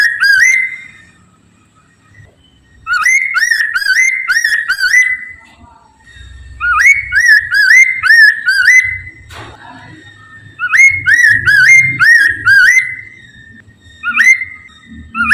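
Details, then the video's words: Poksay Mandarin laughingthrush song, played as a lure to get other birds of its kind singing: repeated bursts of clear, fluty whistles that swoop upward and loop, several notes per second, separated by short pauses with faint low background noise. "PANCINGAN POKSAY MANDARIN TERBUKTI AMPUH CEPAT DIRESPON POKMAN LAIN AGAR IKUT BUNYI"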